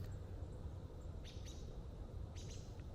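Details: Warbler chip calls in fall, their main form of communication outside the singing season: short, sharp, high chips in two quick bursts about a second apart, over a steady low rumble.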